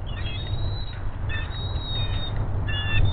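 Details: Bald eagles at a Hays nest on a nest camera on February 21, the female calling in delight as the male brings her a fish: thin, high piping notes in short series over heavy low rumbling wind noise.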